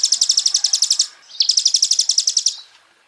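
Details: Van Hasselt's sunbird song, taken from a champion bird and used as master song for training songbirds: two rapid high rattling trills of about a second each, separated by a short gap.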